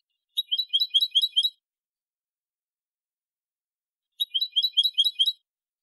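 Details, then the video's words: European goldfinch singing in a clean 2020 recording: two dense bursts of rapid, jangling twitter, each about a second long, separated by a long silent gap. "CD jilguero limpio 2020"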